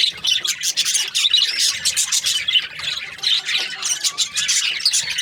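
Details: Several budgies chirping together in a dense, continuous chatter of high, fast twittering and squeaky warbles, overlapping without pause.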